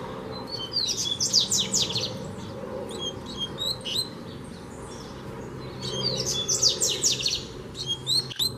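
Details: Free double-collared seedeater challenging a caged bird, as fibre training: two bursts of rapid, high buzzy and twittering notes, each about two seconds, separated by scattered sharp chirps over a steady low hum.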